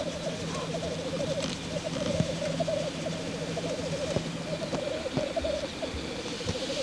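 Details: Lekking black grouse cock in courtship display, giving steady low bubbling rookoo phrases that roll on without pause, many overlapping; faint clicks and a soft distant note early on.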